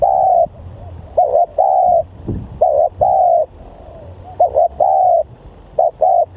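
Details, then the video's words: Spotted dove, a lively lure bird, gives mellow repeated coos: a long opening note, then phrases of a quick double note and a sustained coo, several in quick succession, with light background noise. "Pikat Tekukur//Ini Kalau Liat Bl Sangat Bringas//Alias Sangat Gacor"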